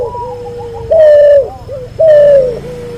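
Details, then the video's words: Barbary dove, a cross between an albino white bird and a pelung-type bird, recorded for tutoring other birds: two loud, level coos about a second apart, each sliding slightly downward, joined by softer wavering murmured notes between them. "MASTERAN BURUNG CUHU HASIL SILANGAN PUTER ALBINO PUTIH VS PUTER PELUNG"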